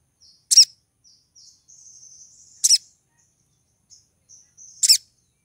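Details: Calling to draw in a male, a female olive-backed sunbird in breeding condition gives three loud, sharp, high double chips roughly every two seconds. Thin, faint, high trills and twitters fill the gaps between them.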